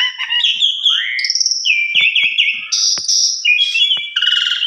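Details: Lure song of a Javan pied starling, full of mimicked phrases: sliding clear whistles, a descending slur and high squeaky notes strung together without pause, with a few faint clicks.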